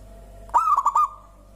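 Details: Single phrase from a local zebra dove, whose song is said to set other birds singing: a brief rolling coo broken into four rapid beats that hold a steady, mellow pitch before cutting off.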